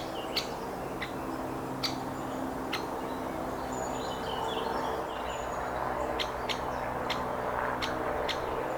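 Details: Great spotted woodpecker uttering abrupt, sharp click-like notes, spaced unevenly at first and then quickening toward the end, against a constant low rumble and scattered soft twittering of other birds.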